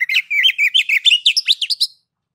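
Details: Oriental magpie-robin singing a ngeplong-style master song used to coax other magpie-robins into singing: a quick run of clear whistled notes, rising and falling, packed into about two seconds, then silence.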